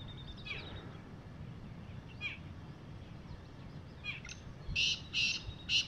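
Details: Wild black francolin on the ground picking up feed in the evening gives a loud, harsh, grating burst of three or four scratchy notes near the end, after faint thin chirps from other birds.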